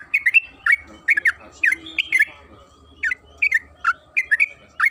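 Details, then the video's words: Chattering yellow-vented bulbul, trucukan kebo, singing a long continuous lure song: loud bubbling, rolling notes in rapid irregular groups, with a brief softer pause midway before resuming at full volume. "Pancingan trucukan agar bunyi‼️Suara burung TRUCUKAN KEBO Gacor ropel Panjang"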